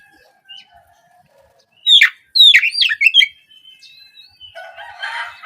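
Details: Brief burst of Oriental magpie-robin song used as a morning prompt for young speckled birds: a second or so of loud, rising whistled notes amid faint distant chirps and a soft hiss.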